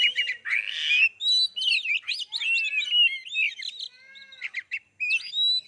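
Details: Oriental magpie-robin singing to provoke other birds to sing: a dense, fast run of varied whistled notes, sweeping trills and a harsh buzzy burst, with short gaps between phrases.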